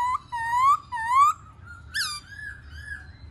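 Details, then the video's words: Black-throated laughingthrush in song-and-dance display, giving two smooth upward-sliding whistles in quick succession, then a lower level note, a sharp bright upswept call and softer arched whistles trailing off. "KHƯỚU BẠC MÁ HÓT MÚA HAY"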